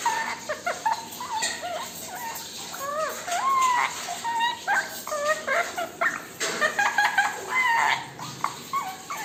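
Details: Pet male ringneck parakeet chattering and whistling while dancing with its owner, with rising and falling whistles, squeaks and mimic-like phrases around one to two kilohertz, steady throughout.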